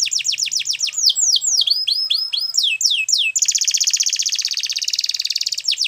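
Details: Belgian canary in full song, pouring out quick falling whistled notes in rapid succession, then switching to a sustained, very fast, high rattling trill.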